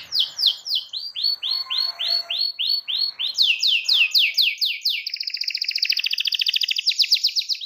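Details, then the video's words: Gacor canary song of steady repeated sweeping notes that shift to higher syllables, then break into a fast, even rolling trill. "SEKALI NARIK KENARI LANGSUNG NGEROL NYAUT DENGAN SUARA KENARI GACOR INI"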